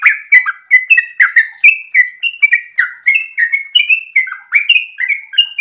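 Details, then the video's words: Long, lively ropel song of a sooty-headed bulbul in breeding condition, with bright, bubbling notes that dip and rise in quick succession without pause. "trucukan gacor birahi ropel super panjang"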